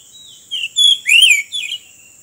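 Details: Oriental magpie-robin taken while trapping by the road, singing a short phrase: a soft lead-in, then three bright whistles, the middle one longest and rising, and a lower closing note, over a steady high hum.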